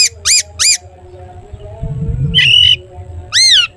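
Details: Long-tailed shrike giving 'toet toet' calls within a singing display meant to stir other shrikes: three harsh arched squawks, a brief rustle, then a longer flat nasal note and one more arched squawk.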